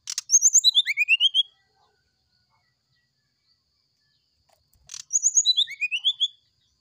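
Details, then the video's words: Brown-chested jungle flycatcher giving a flute-like sulingan song in the morning. Two bursts about five seconds apart each begin with a sharp click, then high notes fall and a quick rising series of whistles follows. "Suara sulingan srdc di pagi hari"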